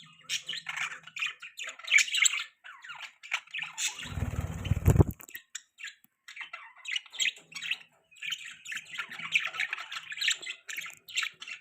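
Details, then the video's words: Several pet budgies chatter in a dense, scratchy, squeaky warble, interrupted around the middle by a second-long burst of low rushing noise before the chirping resumes. "Beautiful Budgies Parrots Chirping Sounds"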